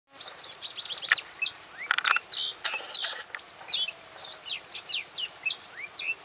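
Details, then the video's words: Oriental magpie-robin singing at Bada, North 24 Parganas, India: a rich, varied run of clear whistled notes and sweeping slurs mixed with short sharp chips, phrases tumbling closely together with hardly a pause. "Oriental Magpic Robin Singing"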